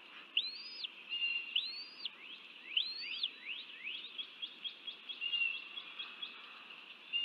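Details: Bald eagle feeding chicks at a nest in a man-made wetland southeast of Dallas, Texas, 30 January 2024; high thin whistled notes, each rising then falling, repeated about every second, then a quick run of short rising chirps.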